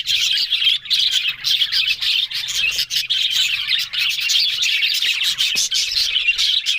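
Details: Budgerigars chattering together on October 1, a busy mix of high twittering warbles, sharp clicks and short squeaks that overlap continuously with small pauses throughout.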